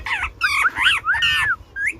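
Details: Talking Indian ringneck parakeet, a pet bird, producing loud speech-like warbled phrases with rising and falling whistled syllables in several bursts, then a short upward whistle at the end.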